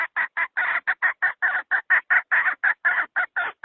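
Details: Hen call used as a lure for trapping birds: a rapid series of about eighteen harsh, clipped clucks, evenly spaced in a steady run.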